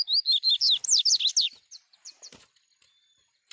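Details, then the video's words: Double-collared seedeater singing unrestrained in the wild, recorded with a mobile phone: a brisk, dense string of high chirping slurs for a second and a half, then softer scattered notes and a final sharp chip. "COLEIRO: PURA FIBRA CANTANDO SOLTO NA NATUREZA !"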